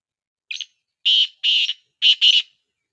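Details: Black francolin call played to prompt other francolins to answer: a short harsh note, then two grating rasping notes, then a closely paired harsh couplet, all loud and clean with no background sound.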